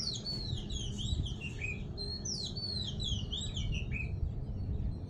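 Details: Small bird singing in the morning; a rapid run of high, bright whistled chirps, each note dipping then rising, repeated steadily throughout, with low rumbling background noise.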